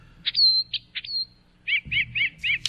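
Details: Brown thrasher song, a noisy but very musical bird with a large repertoire: a few sharp notes and a clear high whistle, then four paired, buzzy chirps repeated rapidly with low background hum.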